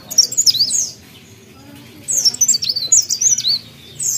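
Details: Two bright, rapid phrases of thin, high warbling, each about a second long, come from a mountain leaf warbler in full song, separated by a quiet pause.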